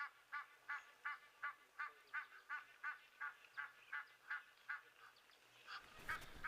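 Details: Alarm honking from Egyptian geese that know a jackal is present; the adults go for it. Live recording, 12 February 2023. Around fourteen rhythmic harsh honks, steady and regular, ending in a loud rustling noise burst.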